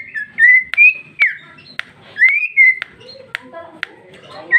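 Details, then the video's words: Vocal female cucak ijo, 2021, delivering the ngeplong style; long sweet rising and falling whistles alternate with sharp clicks spaced about half a second apart. "Cucak ijo betina paling gacor ngeplong isian super mewah"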